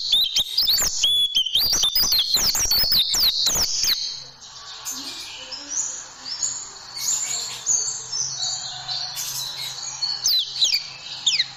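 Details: Oriental white-eye tutoring song for caged birds, with 'tembakan' bursts: a dense, high, chattering run of quick chirps for about four seconds, then softer scattered twitters over a faint background hum.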